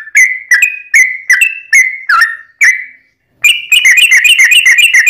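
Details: A Yellow-vented bulbul gives a long, loud, bubbly chirping song at about three notes per second, then a pause and a faster rattling run. The song is used as a lure to make other bulbuls answer.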